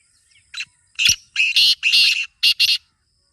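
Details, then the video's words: Black francolin call: a soft lead note, then longer grating bursts that end with a quick doubled note, all harsh and buzzy. "Kala Teetar Awaaz Kholne Ka Tarika | Black Francolin Calling Formula"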